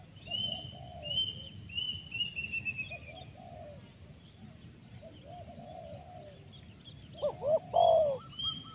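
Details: Spotted dove (tekukur) used for bird luring, 'poin penguasa makam' style with many 'rrr' sounds: faint distant coos through most of the recording, then one loud close three-note phrase at the end, with high thin whistles from other birds.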